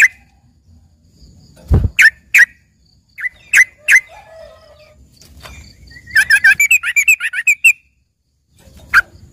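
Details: Yellow-vented bulbul filler song for green leafbird training: scattered bright chirps, a low thump, then a fast chattering burst of rapid notes that ends in a few single chirps.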